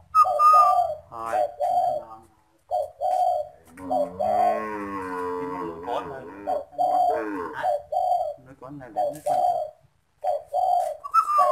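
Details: A caged pet spotted dove cooing as a stranger approaches: soft, hollow coos in short repeated phrases with brief pauses, with a harsher, buzzy sound breaking in near the middle.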